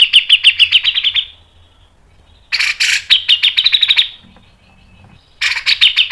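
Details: Grey-cheeked bulbul (cucak jenggot) in energetic 'mbeset ngepik nembak panjang' song style, used as a tutor and lure recording: rapid bursts of harsh, buzzy repeated notes, each phrase about a second long, separated by short pauses.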